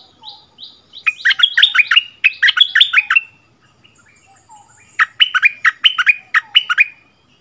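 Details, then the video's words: Bulbul song duel between a returned decoy bird and a resident territory holder, recorded 3 February 2021; jumbled warbling phrases in two bouts separated by a quiet pause with faint notes. "เสียงนกดอกแตงEp.30 คืนถิ่นเก่า!!ดวลเพลงเบิ้ลกับเจ้าถิ่น"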